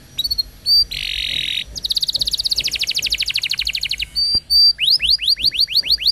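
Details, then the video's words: Canary song used as a long tutor recording for young canaries and to prompt canaries that have stopped singing: high chips, a dense buzzy burst, a fast rolling trill, then bright rising upslurred whistles repeated several times a second. "Kenari Gacor Panjang !! Masteran Burung Kenari PAUD dan Pancingan Kenari MACET BUNYI"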